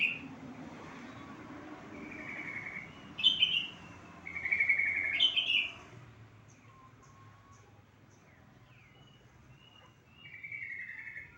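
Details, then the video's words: Lure recording of sooty-headed bulbul to rouse a bird that rarely sings; short fluty, slurred phrases, a louder pair near the middle, with low background hum and faint chirps. "suara panggilan dan pancingan burung trucuk yang males bunyi"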